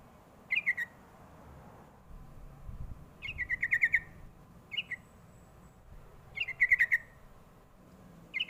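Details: Sooty-headed bulbul call played to lure young birds into answering: repeated clusters of bright chirps sliding slightly downward, two to six notes each, arriving every few seconds over soft low background noise.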